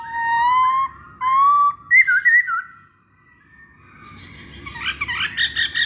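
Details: Masked laughingthrush lure sound: two long, steady, clear whistles, a quick warbled phrase, a brief pause, then a jumble of rapid, scratchy chattering notes.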